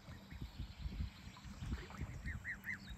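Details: Curious ducks on a farm, heard behind steady low rumbling noise; toward the end a short series of three clear, arching, nasal calls, evenly spaced about a fifth of a second apart.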